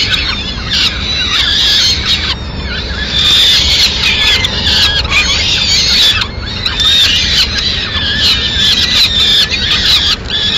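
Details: Peregrine falcon mother bringing food to her chicks in Madrid, 29 April 2016. Intense, shrill squealing continues throughout, rising in noisy surges with brief breaks between them.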